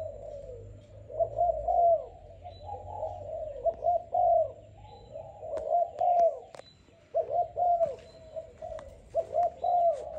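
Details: Young Malaysian-type spotted dove, a selected bird, cooing in repeated mellow, hollow phrases broken by short gaps, with scattered sharp clicks and knocks nearby.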